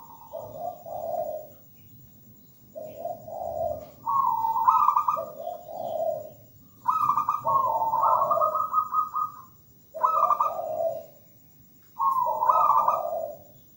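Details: Local zebra dove singing melodiously and persistently, soft purring coos that step between a higher and a lower note in phrases of one to two seconds, separated by brief silences.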